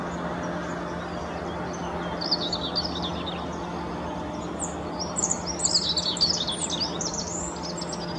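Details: Rock bunting along the Apolloweg near Valwig, Moselle valley, Germany, giving high, thin, rapid twittering phrases in two bursts, with a constant low hum and noise beneath.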